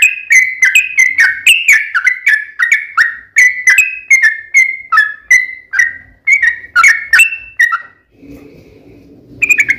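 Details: Yellow-vented bulbul song played as a lure to prompt other bulbuls to answer, a long busy string of quick whistled notes with sharp attacks, wavering up and down, then a pause with low rumbling before notes resume.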